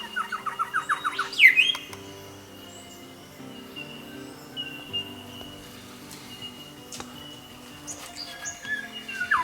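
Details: A young grey shrike-thrush of indeterminate sex, in Australian woodland, gives a quick run of rising notes ending in a loud, ringing whistle, then falls mostly quiet over a soft musical background.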